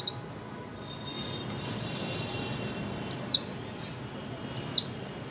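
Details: Female white-eye calling to stimulate mute birds: quiet high chirps at first, then two piercing descending notes about a second and a half apart, over faint steady noise.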